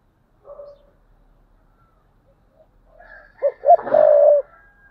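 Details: Decoy spotted dove in 2022 giving a thúc bổi coo: a faint soft note first, then one loud phrase of two short notes and a sustained rolling coo over a rustling, noisy background.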